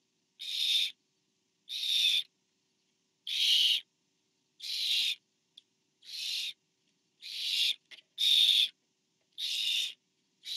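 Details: Barn owl parent delivering food to an owlet at a nest, 24 September 2015: eight harsh, noisy screeches in a fairly steady series, each under half a second and about one to one and a half seconds apart, with faint clicks between.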